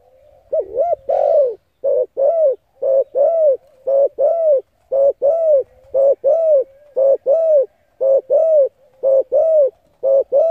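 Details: Spotted dove cooing, used to stimulate decoy birds: steady series of mellow, low hooting double and triple coos, each note rising then falling, repeated roughly once per second with short gaps; quiet background.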